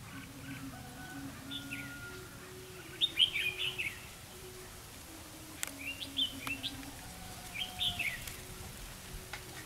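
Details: Competitive song from a red-whiskered bulbul decoy luring wild birds into a trap, 4 November 2016. Three loud, rapid warbled phrases of several sweet, bouncing notes come roughly every two to three seconds, with low hum beneath.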